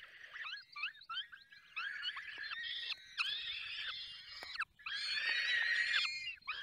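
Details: Falcons at their nest in the Barycz Valley during feeding: quick, rising chip notes lead into prolonged, rasping, harmonic screams and rough, wavering cries.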